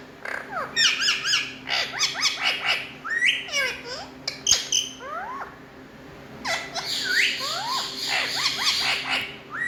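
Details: Indian ringneck parrots, called talking parrots, keep up busy chattering with repeated sharp harmonic notes and swooping squawks, a quieter stretch in the middle, then a dense burst of overlapping calls.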